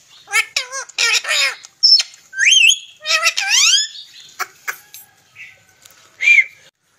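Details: Pet green parrot vocalizing: harsh squawks mixed with wavy, strongly harmonic talk-like calls and sweeping rising notes, delivered in quick bursts with short pauses; a few sharp clicks between phrases.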